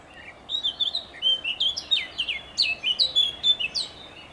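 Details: Blackcap song dated 27.05.2023, a continuous lively warble of varied high, clear notes, each lasting a fraction of a second, delivered rapidly and evenly throughout.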